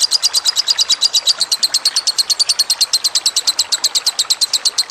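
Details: Lovebird masteran: loud, high, rapidly repeated chirps, about three per second, in a steady, slightly uneven stream lasting nearly five seconds.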